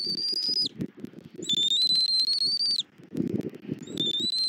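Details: Bald eagle calling at the nest in Southwest Florida, the male feeding its chick, 21 January 2024, 09:15; three long, piercing whistles held level or slightly rising, each ending in a quick downward slur, with rustling and scraping below.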